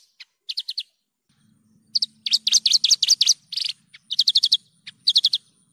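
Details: Javan bush lark in lively song: bursts of quick high chirps in groups of four to six, with short pauses between, and a faint low hum in the background.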